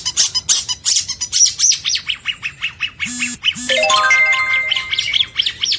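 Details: Long-tailed shrike fill-in song from 2022 training material: rhythmic high chirps about four per second, a burst of harsh chatter, then a steady electronic-sounding tone with harmonics under the birdsong.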